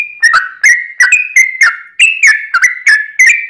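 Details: Yellow-vented bulbul giving its long, lively song, used to lure other bulbuls into singing: bubbly, liquid whistled notes sliding between mid and higher pitches, about ten phrases in quick succession with short gaps.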